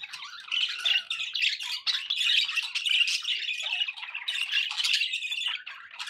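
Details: Pet budgies produce a steady wall of grating warbles and sharp squawks, their overlapping voices merging into constant raspy chatter with slight swells every second or so.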